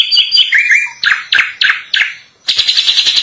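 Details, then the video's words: Drongo in long gacor song, known locally as srigunting: loud whistled phrases, then four sharp downslurred notes about a third of a second apart, closing with a fast buzzy chatter. "Suara asli burung Srigunting gacor panjang"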